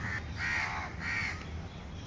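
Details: Indian grey hornbills at a nest in a home lawn during lockdown, chicks emerging: three nasal, squealing notes of similar pitch in quick succession, each under half a second, with constant low-pitched background noise.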